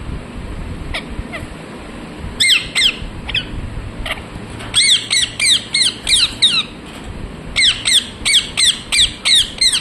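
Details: Parrot giving loud, harsh chirping squawks in rapid bursts, each note a sharp descending sweep, repeated about three per second in clusters with short pauses between.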